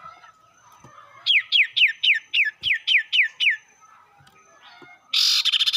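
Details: Sirtu singing, used as a lure to provoke rival birds: about nine clear whistled notes, each sliding sharply downward, repeated rapidly in a quick series, then a loud harsh buzzy burst at the end.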